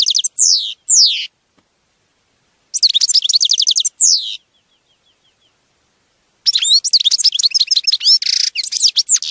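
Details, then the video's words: Singing European goldfinch (Carduelis carduelis): two sharp downslurred notes, then bursts of fast tinkling, repeated chirps with a quiet pause, ending in a long jumbled twittering phrase with a buzzy rasp. "Birds Singing - European Goldfinch"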